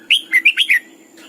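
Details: Caged training decoy Red-whiskered bulbul singing at morning in a double-note wild style; one fast phrase of five clear, looping whistled notes, then quiet.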